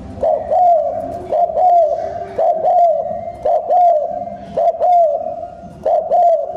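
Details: Decoy song of a spotted dove, fast-paced cooing meant to provoke wild birds: six evenly spaced deep coo phrases, each rising briefly then sliding down, roughly one per second.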